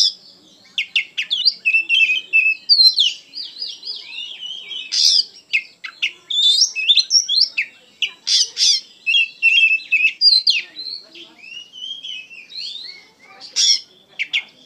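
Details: Caged white-rumped shama singing energetically: a long stream of quick chirps, slurred whistles, harsh squawky notes and trills, varied and continuous with few pauses.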